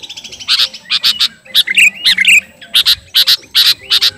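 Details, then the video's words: Kutilang garuda sooty-headed bulbul sounding off at a rival: evenly spaced loud chips, a few slurred whistles in the middle, then a regular series of sharp single notes roughly every third of a second. "Burung kutilang garuda gacor memanggil lawan"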